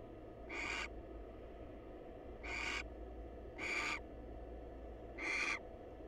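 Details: Four rasping, breathy screeches, evenly spaced about a second and a half apart, from a wild female barn owl calling a greeting to her male at a research nest box, over a constant low background hum.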